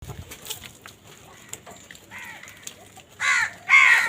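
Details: Crows squabbling over food: faint scattered calls and noise at first, then two loud, harsh, hoarse caws near the end, each about half a second long and roughly half a second apart.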